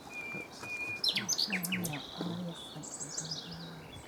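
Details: In full sun, a common nightingale delivers a held whistle, then a varied run of sharp chirps, quick downslurred notes and a low rattling phrase, with some faint background noise.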